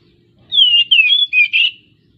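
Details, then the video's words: Oriental magpie-robin (kacer) in breeding condition, song played as a lure to make quiet birds sing: four loud whistled notes in one phrase, falling then warbling and buzzy at the end, over faint low background noise. "suara kacer jebol birahi"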